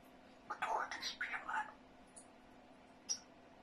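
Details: Pet grey parrot indoors in a small room, speaking quietly in Russian-like phrases: a short burst of speech-like syllables lasting about a second, then near silence broken by a faint click and a brief high squeak.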